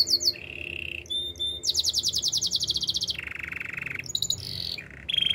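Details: Master canary singing, a training song: rapid rolled trills shifting between pitch levels, high bright repeated notes, lower steady buzzing rolls, and quick sweeping chirps, each phrase lasting about one to one and a half seconds.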